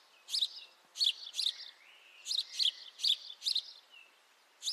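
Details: Call of a house sparrow, taken with a high-definition mic: bright, sharp chirps in loose pairs and short clusters, with a faint low twittering between them and soft background hiss.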